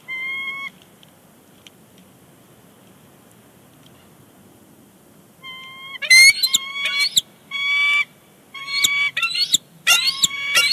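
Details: Bald eagle pair at Big Bear Lake vocalizing heavily on the nest before departing, January 30, 2020: after two lone whistled notes, a loud rapid run of piping, stuttering notes breaks out, dense and overlapping, with brief pauses.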